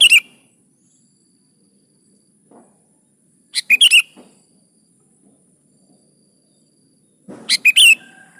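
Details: Energetic singing sooty-headed bulbul (gacor), recorded to coax lazy bulbuls into singing: short bubbling phrases of three or four sharp notes ending in a twisting whistle, repeated about every three to four seconds with silent gaps.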